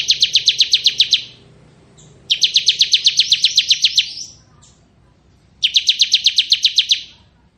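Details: Ciblek kristal, a bar-winged prinia sung as tutor for magpie-robins, delivering loud rapid buzzy trills in bursts of one to two seconds with quiet gaps between, faint low hum beneath.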